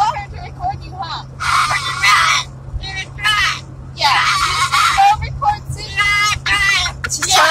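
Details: Three pet cockatoos on a long car ride from Arizona to Iowa give loud, harsh, raspy screeches in bursts of one to two seconds over a steady low car hum, with some speech-like sounds mixed in.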